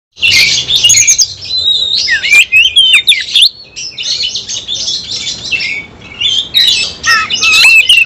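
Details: Oriental magpie-robin singing a full-repertoire song packed with varied material: loud, dense run of sharp whistles, slurred rising and falling notes and scratchy squawks, with one brief pause near the middle before the stream resumes.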